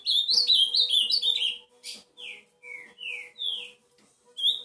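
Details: Ultramarine grosbeak song: a quick run of warbled, slurred high whistles, then a slower series of separate sweeping notes, some falling and some rising, over a faint steady hum.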